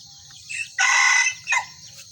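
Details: Kukuak Balenggek rooster crowing during a crowing match between a red and a yellow cock in one cage: a short lead-in note, then a loud, rich half-second crow and a brief closing note, over a steady high insect buzz.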